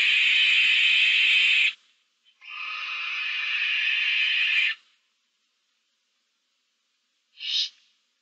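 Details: Barn owl owlets, seven chicks in a nest box, recorded 15 March 2024: two long, harsh hissing screeches lasting about two seconds each, then a short hissed burst after a pause of silence.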